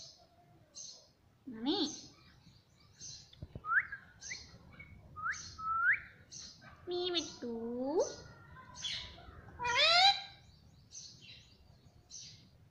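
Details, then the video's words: Pet parrot that talks and says "mummy": a string of regular high chirps, short rising whistles and a few voiced speech-like syllables with arched pitch. "Mummy Papa Bolne Wala Tota || Talking Parrot"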